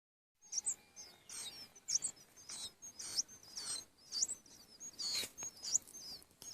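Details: Hungry chicks begging: thin, very high chirps and short squeaky notes come in quick bursts roughly every half-second to second, against soft background noise.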